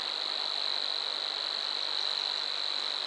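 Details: Continuous insect-like buzzing reel of a Savi's warbler at Bolimów reservoir, pitch unchanging throughout, set against steady broadband hiss.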